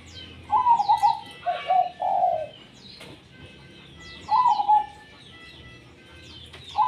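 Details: Zebra dove singing in full voice, tumpang sari style. A burbling, trilled coo phrase of three notes is followed by a quiet gap, then a single rolling coo and the start of another. Faint high chirps from other birds fill the background.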